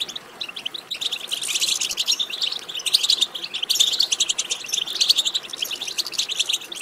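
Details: European goldfinch batbata for stimulating song: a steady stream of rapid, buzzy, tinkling notes, rising in intensity after the first second and staying busy to the end.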